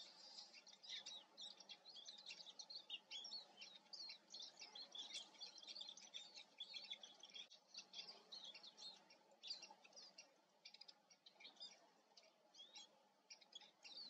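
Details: Eurasian siskin producing a long, continuous stream of high, tinkling twitters and chirps with little pause, over a steady low hum.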